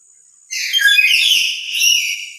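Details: Emotional lory, calling louder because it is alone rather than with other lories: a sustained, piercing, harsh cry lasting about two seconds that wavers in strength and swells again near the end.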